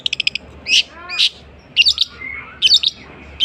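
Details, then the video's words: Long-tailed shrike imitating other bird species: a quick burst of five clipped high chips, then loud harsh notes and a descending run of buzzy glides. A thin whistle and scattered chirps follow, with pauses between phrases. "burung cendet bisa menirukan jenis burung apapun"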